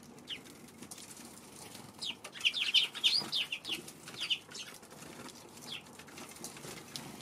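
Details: Several Eurasian tree sparrows, cautious near a Godzilla figurine placed by their feeding place one March afternoon, break into a quick cluster of bright overlapping chirps lasting about two seconds, then fall back to scattered faint notes and light background hiss.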